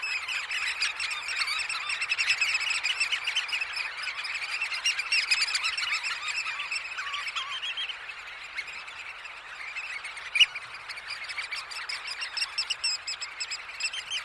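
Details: Early morning at a roost at Snettisham: a close-up dense chorus of shrill, piping Eurasian oystercatcher calls from a large flock, overlapping constantly with no pauses, with one sharper peep standing out near the end.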